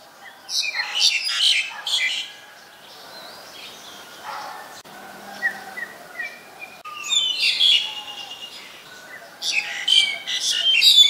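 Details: Black-collared starling recorded in Ubon Ratchathani, Thailand, on 2 January 2020: loud bursts of harsh, screechy chatter mixed with short whistled notes, coming in clusters separated by quieter gaps, with a faint rural background.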